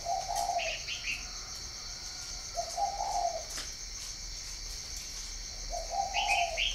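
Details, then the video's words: Cooing spotted dove from a northern Vietnam breeding farm at Ba Vì: three low, husky coo phrases about two and a half seconds apart. Higher trilled chirps from other birds overlap, over a constant insect drone. "chim cu gáy hay miền bắc"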